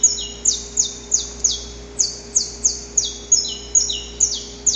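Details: High, sharp saffron finch notes recorded outdoors. Each starts with a bright tick and falls steeply, repeated about two to three times per second, with occasional lower echoing notes between them.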